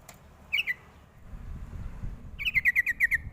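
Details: Sooty-headed bulbul call used as a lure to draw answers from young birds: a short pair of bright chirps, then after a pause a quick run of about eight sharp, slightly falling chattering notes over a low background rumble.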